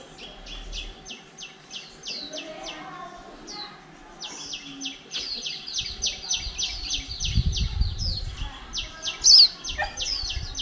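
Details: White-eye caught from the wild and caged for more than a month, delivering líu song: long trains of quick, evenly repeated high downslurred notes, briefly broken by a louder twittering flourish, over faint low murmuring noise.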